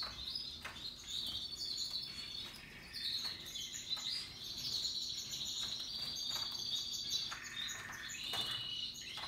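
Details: Russian yellow and Timbrado canaries singing happily among other birds, said to be in their natural habitat: dense rolling trills and twittering phrases, with repeated sharp clicks and a steady background hiss.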